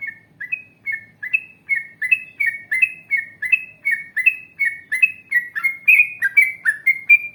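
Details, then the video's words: Yellow-vented bulbul in full, lively song, a long ropel-style run meant to coax other bulbuls into replying. It delivers quick chains of short, bright whistled notes that alternate up and down, steady and unbroken over the whole stretch. "Masteran Trucukan Gacor Ngalas Panjang Ropel Panjang ❗Ampuh Untuk Pancingan Trucuk Agar Bunyi Nyaut"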